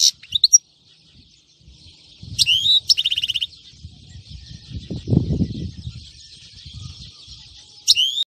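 European goldfinch song: bright, high twittering phrases with quick trills and a buzzy rattle, broken by short pauses over a soft low rumble.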